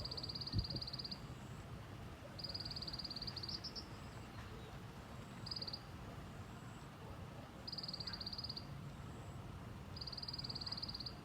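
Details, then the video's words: White-eye giving a local 'tành tạch' song: high, dry, rapid ticking rattles about a second long, repeated five times at irregular gaps, over a steady low rumble of traffic. "Tiếng chim sâu lác ( tành tạch )"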